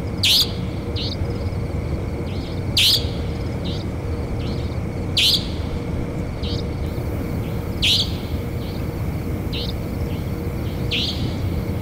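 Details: Savanna nightjar calling repeatedly, five harsh rasping upslurred notes about every two and a half seconds, each trailed by quieter echo-like notes, with a steady high whine and low rumble beneath.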